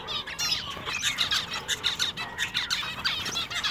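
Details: Captive zebra finches in a pet shop, males singing: a dense chorus of nasal, buzzy meep notes and chattering phrases overlapping without pause.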